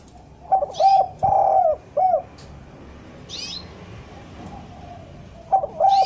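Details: Cooing of an untrained spotted dove, a recording meant to lure decoy doves down: hoarse mid-pitched coos in a short phrase, a pause, then the phrase starting again, with scattered hissing rustles between.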